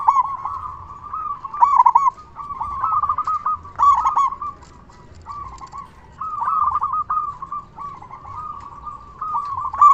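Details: Loud local zebra dove song meant to provoke other doves into replying: chains of quick, bubbling coos held at a steady mid pitch, swelling into brief louder accents every couple of seconds, with faint low rumble beneath.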